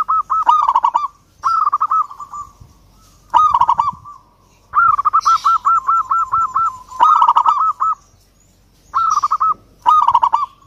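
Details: A local Zebra Dove, said to be calling out to a rival, gives bursts of rapid, bubbling staccato coos at a mid pitch, each phrase about a second long and repeated every couple of seconds, with occasional sharp clicks.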